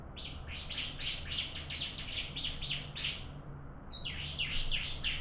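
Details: Bar-winged prinias singing against each other in a contest, a fast, uneven stream of sharp high chirps that overlap and continue almost without a break, with faint low background hum.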